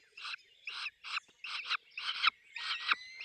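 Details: Peregrine falcon at its nest with chicks, giving rough, hoarse squawking bursts about every half second, some doubled, with a thin high whistle running behind them.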